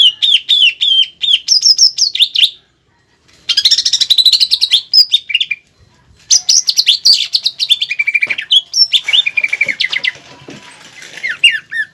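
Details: Contest-style greater green leafbird (cucak ijo) song featuring pelatuk bawang filler phrases; rapid high whistled notes in quick runs, broken by brief silences, with bursts of buzzy rattling.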